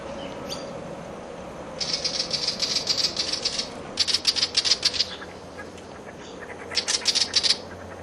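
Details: A Willie Wagtail in a backyard scolds in three bursts of fast, dry, high chattering, an agitated response to a nearby butcherbird; a faint low hum runs underneath.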